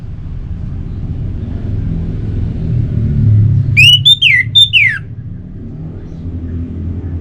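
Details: Orange-headed thrush recording for prompting kept birds to sing: one brief phrase of four loud whistled notes, the last ones swooping steeply downward, set against steady low rumbling.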